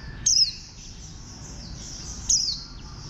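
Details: Warbling white-eye giving two short, high, sharply descending chirps about two seconds apart over a steady high hiss of background noise.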